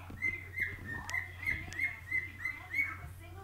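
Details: A 3-year-old male whiteface pet cockatiel whistles a quick string of bright, clear notes, about three each second, singing happily.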